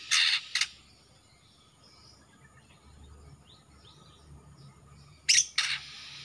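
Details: Young male greater green leafbird of the Kalimantan type, just out of spotted juvenile plumage with black already showing on the front of the neck, described as a keen singer; two sharp, bright chirp bursts open the passage, a pause of quiet, then two more near the end.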